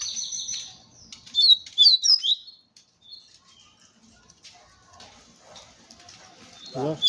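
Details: Double-collared seedeater singing in a song contest, giving a brief run of high, thin whistled notes, some slurred upward, packed in the first seconds, then quieter notes and faint background noise.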